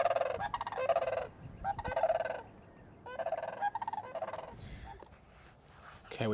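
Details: Sandhill cranes by a gravel bar on the banks of the Yellowstone River, Montana, give loud, rolling, rattling calls in bursts of about a second, repeated several times, with faint background noise between calls.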